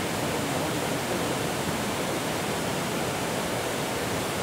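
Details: Dense, even hiss like roaring water or wind fills the whole recording, with no animal calls.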